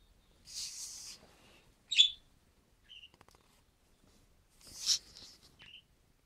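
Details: Male budgerigar on its first day in a new home and flock, 14 December 2013, indoors: broad noisy chirps and a sharp squeak with short gaps between, plus a brief low warble.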